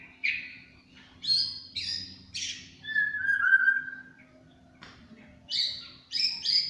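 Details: Varied song of a champion murai batu (white-rumped shama) in tembakan cililin style, with short high whistles and buzzy bursts, a long lower slurred whistle, silence, then further sharp high notes.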